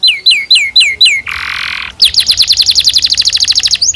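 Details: Canary singing a varied song used as a tutor for young birds: a series of hooked, downslurred whistles, then a harsh buzzy burst, then a long rapid trill of high notes.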